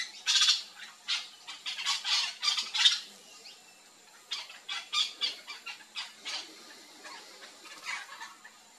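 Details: Feeding flock of Yellow-chevroned Parakeets in a backyard in Brazil: bursts of grating, high squawks clustered in the first three seconds, a short lull, then quieter scattered screeches from several birds.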